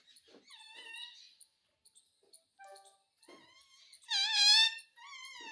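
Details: Indian ringneck parakeet, a talking pet bird mimicking Hindi words like mummy and mitthu: soft rasps and level nasal tones, then a loud buzzy harmonic syllable and a final wavering note.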